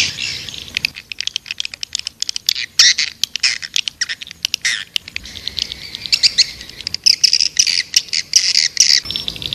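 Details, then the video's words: High-pitched swiftlet calls meant to attract birds. Dense, shrill chirps and raspy squawks tumble over one another, with brief pauses between irregular flurries. "Suara burung walet panggil 7"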